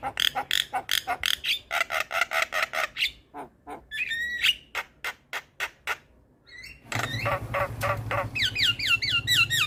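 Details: Black-winged myna song for training and prompting reluctant mynas: a quick series of rough squawks and clicks, a short pause, then a loud burst of buzzy chatter ending in looping whistled phrases.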